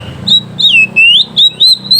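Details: Oriental magpie-robin in full loud 'gacor ngeplong' song, calling a rival, used as a lure for training young birds: five loud, clear whistled notes, slurred up and down, spaced under half a second apart.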